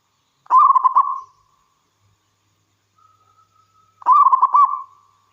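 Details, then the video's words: Wild local zebra dove singing actively. Two loud bursts of rapid, stuttering coos arrive about three and a half seconds apart. Quiet, thin notes fill the gap before the second burst. "Suara Burung Perkutut Lokal Gacor"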